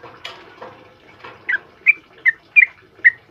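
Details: Yellow-vented bulbul song used for tutoring caged birds. Rustling noise opens the recording, then five loud, clear whistled notes follow at roughly half-second intervals.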